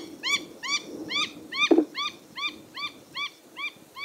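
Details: Black-headed heron in Kidepo National Park, Uganda, January 2023, giving a steady series of about ten nasal, rich-toned notes, one roughly every half second, with a single dull knock partway through.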